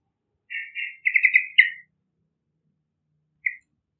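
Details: Lively yellow-vented bulbul, its song meant to attract young wild birds. Two slurred notes lead into a quick run of bubbling syllables ending in a downslurred note, followed by one short chirp.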